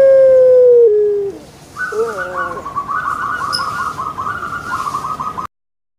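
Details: Puter pelung dove kept in Indonesia ending a long steady tone with a downward step, followed by a wavering note and a rapid rolling trill of repeated short notes lasting several seconds.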